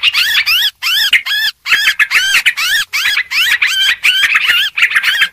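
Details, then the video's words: Yellow-vented bulbul lure recording of noisy chattering: dense bursts of bubbly, warbled notes that rise and fall, running almost without pause, with brief gaps near one and a half seconds. "suara pikat burung trucuk ribut"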